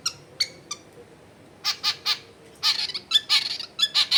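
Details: Long-tailed shrike singing at home in a busy residential area, used to coax silent shrikes: a few clipped notes, then harsh, grating squawks in quick uneven bursts.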